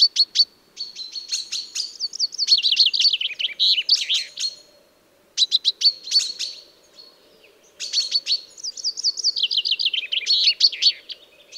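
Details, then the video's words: Common chaffinch song recording used as a hunting lure: bursts of sharp, high clipped notes lead into fast, slurred trills that slide downward, two full phrases separated by short pauses, with a faint low hum beneath. "أجمل صوت لصيد الصلنج -الحسون الظالم - صوت ثنائي الأبعاد Best Chaffinch Hunting Sound"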